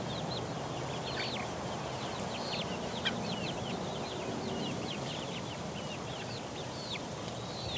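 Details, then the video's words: A group of four-week-old chickens pecking around. Thin, high chirps with downward slurs repeat steadily over a strong broad background hiss, with one faint tap midway. "4 week old chicks pecking around"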